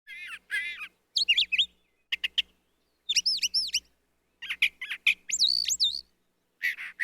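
Brown thrasher giving a quick run of varied, rich, slurred whistles and chirpy notes in short bursts, some phrases repeated twice, with brief pauses between.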